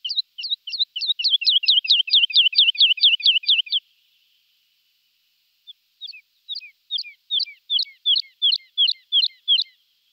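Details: Woodlark song: a fast, accelerating string of clear, descending whistled notes, about fifteen in under four seconds, then a pause and a second, sparser series of falling fluty notes. The background is otherwise quiet.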